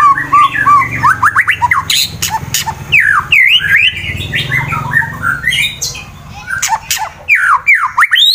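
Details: White-rumped shama, a fighter-type bird singing to provoke rival birds, recorded in Wonosobo, Central Java, Indonesia; varied loud whistled phrases with rising and falling notes and harsh bursts, over a low background hum.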